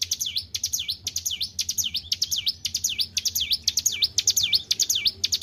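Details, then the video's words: Well-kept caged white-browed shortwing singing vigorously, a continuous series of bright down-and-up whistled notes repeated roughly twice a second, with a soft low hum in the background. "GACOR IDOLA PARA SUHUU..BURUNG CIBLEK GUNUNG"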